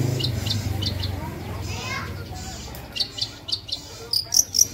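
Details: Long-tailed shrike in lively, full song, a tutor recording: high, thin chirps repeated in quick series, growing louder and sharper toward the end, over low rumbling background noise and faint voices.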